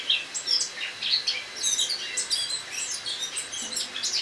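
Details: A captive Eurasian blackcap gives quiet autumn subsong in a kitchen on 1 October 2017: scattered, high, scratchy chirps and short warbled phrases running without pause against faint room noise.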